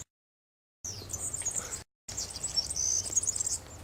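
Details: Wild European serin singing at Santo Tomás, Zamudio, Txorierri, Bizkaia, on 6 May 2018: a very high, rapid, glittering jingle of thin buzzy notes, broken by two abrupt silent gaps.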